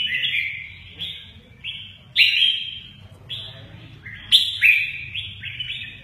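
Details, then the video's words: Red-whiskered bulbul known for good wing-playing, giving loud, clear whistled phrases that slur downward, spaced one to two seconds apart, over a faint low rumble. "Chào mào mơ ché nẹt, chơi cánh rất hay"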